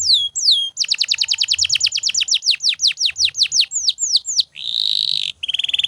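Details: Canary singing without stopping as training material for other birds. A quick run of descending notes slows into spaced whistled sweeps, followed by a dense buzzy rattle and a short rapid trill.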